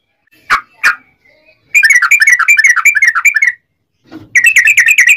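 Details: Yellow-vented bulbul in energetic rapid song used to make other bulbuls sing: two sharp notes, then a burst of very fast, tightly packed chattering whistles, a silence, and another quick rattling burst.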